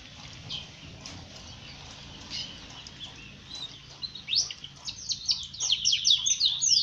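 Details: A yellow one-footed canary in Trinidad sings high, scattered chirps that build into loud, rapid twittering trills and sweeping whistles toward the end, over a low background hum.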